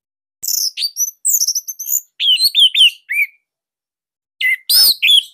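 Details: Orange-headed thrush from Bali, song used to train songbirds; long, varied stream of high slurred whistles and rapid twittering notes, then a harsher burst with bright whistles.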